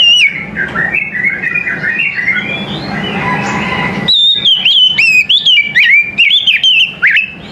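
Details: Oriental magpie-robin in the morning. A softer warbling passage over a low background rumble gives way to loud, clear whistled phrases with quick upward flicks and falling slurs, repeated in fast succession.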